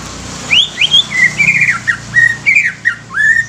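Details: Young greater green leafbird, used to stimulate other leafbirds, singing rising then falling whistles in quick succession, ending on a long upslurred note.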